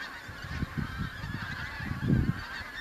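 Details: First autumn pink-footed geese arriving in the Kelvin Valley, North Glasgow, 25 September 2021; overlapping flock honking continues beneath heavy low wind buffeting that peaks near the end.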